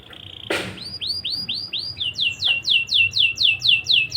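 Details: Caged canary singing in a steady, very active way, used as a lure song to stimulate young canaries into breeding condition: a sharp burst, then arching whistled notes about three per second, speeding into a brighter, faster series of repeated downslurred notes.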